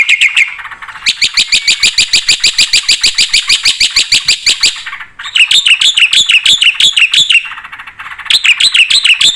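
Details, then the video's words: Energetic 'full isian' song from a black-winged starling: a brief low note, then a long burst of quick repeated chips, shifting to a series of rising-and-falling warbled notes. "suara burung jalak putih gacor full isian"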